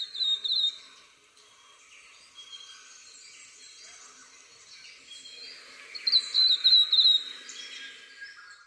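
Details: Flame robin on a cycle path near Widford Road, Glenroy, giving two bursts of thin, high, rapid chirping notes, one at the start and another six seconds later, over quiet hiss; calls may be added reference recordings.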